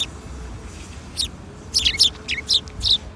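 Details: Sparrows gathering for food at a Tenmangu shrine on the afternoon of April 13, 2021. A lone chirp comes first, then a cluster of five or six quick, slurred tweets.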